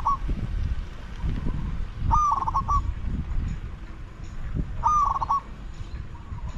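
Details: Spotted dove used in decoy luring of wild doves, giving two clear multi-note coos about three seconds apart, each a short rising note followed by quick stuttered notes, over low rumbling background noise.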